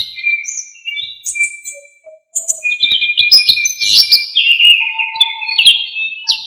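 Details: Orange-headed thrush singing a varied master song for tutoring other songbirds: thin whistles and short notes, a brief pause, then a dense run of sweet whistled and trilled phrases.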